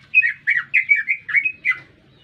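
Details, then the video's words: Brief phrase from a green leafbird singing constantly in town: six or seven warbling, slurred whistled notes, each swooping down then up, evenly spaced, over a faint low hum. "Cicak Ijo Gacor Bikin Meledak Suasana"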